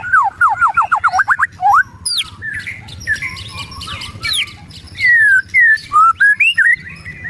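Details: Excited white-rumped shama ketrekan: a quick run of short down-slurred whistles, harsher high notes, then a burst of loud clipped notes and long falling whistles.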